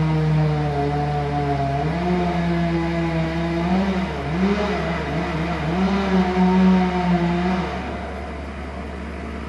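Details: A motor vehicle engine revs steadily, its droning pitch rising and falling in waves with strong low harmonics; no animal voice is heard.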